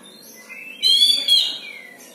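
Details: Caged Oriental magpie-robin kept at home for hobby, giving an unusual loud nasal note with rich harmonics lasting nearly a second, preceded and followed by faint thin whistles.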